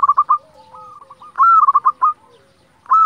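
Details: Zebra dove of local stock used as a lure to rouse quiet or stressed doves into singing; a rapid rolled series of short cooing notes, a longer level coo, then another stuttering burst, phrases about every 1.4 seconds, otherwise quiet.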